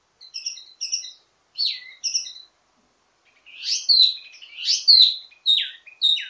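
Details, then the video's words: A wambi mini sings the ledekan teasing song, rich in variations, intended to master other wambi: paired high chips and downslurs, a gap, then loud sweeping descending whistles in quick succession. "Ledekan Wambi mini Full Gacor Banyak Vareasi"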